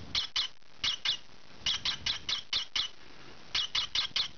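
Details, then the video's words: Juvenile green pied rosy-faced lovebird indoors while scratching, uttering short harsh squawks in irregular pairs and small clusters separated by brief silences. "Noisy Lovebird loves scratching"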